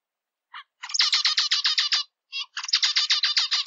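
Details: A zebra finch sings a brief introductory note, then two packed bursts of harsh, buzzy, repeated syllables with a short pause between them, heard alone in silence.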